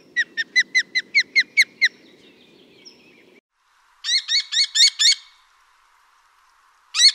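Common Kestrel giving shrill, sharp kee-kee-kee calls in fast runs of about six to eight notes, then a single note; faint low rumble early on.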